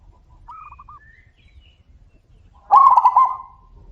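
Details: Zebra doves calling back and forth: a faint distant series of short pulsed cooing notes, then a louder near bird answers with a rapid burst of about six throaty trilled notes.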